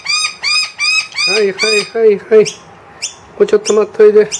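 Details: Harsh, rasping calls from a wild noisy miner with two young inside a room, loudly demanding food once the feeder is empty: runs of rough repeated notes, lower gruff squawks and a few thin high chirps between.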